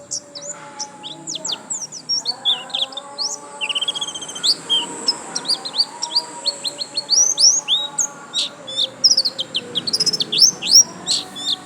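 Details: White-eye singing continuously, a dense run of high, sharp chirps and rising whistles, fast and busy, with a steady faint hum and softer sounds underneath.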